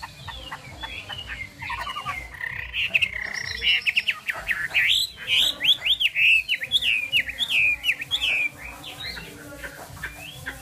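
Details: Chinese hwamei singing: a rapid, varied run of loud whistled and slurred notes that sweep up and down. Short phrases follow closely one after another, then the song fades to quieter notes. Low background hum.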